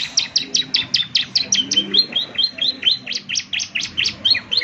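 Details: Ciblek semi in vigorous song, played each morning to make birds reply: a long, regular string of crisp high chirps, roughly five per second, sharp and bright over a clean background.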